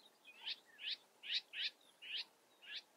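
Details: Calls of European bee-eater in the Eifel: six rolling, slightly buzzy 'prruip' notes at a fairly even pace, about two per second, clear against a quiet outdoor background.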